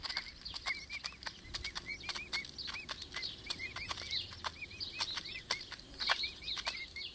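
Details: Pet emu chicks (Dromaius novaehollandiae), 5 weeks old, give short, high, arched whistling peeps, several times a second and overlapping from more than one bird, with sharp clicks and tapping between them.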